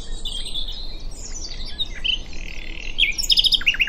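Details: Common nightingale at Diddington singing soft whistled phrases that build into loud, rapidly repeated sharp notes near the end, against constant low background noise.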